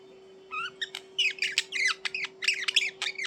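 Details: Budgerigar chirping indoors: a quick series of sharp, scratchy chirps roughly every half second, some higher whistled notes mixed in, steady hum in the background.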